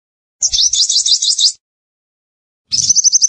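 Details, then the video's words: Singing sunbird, known as sogon: a high, rippling trill of quick chirps lasting just over a second, a pause, then a second similar rapid trill starting near the end. "Sogon Gacor!! Master, Pikat & Terapi air"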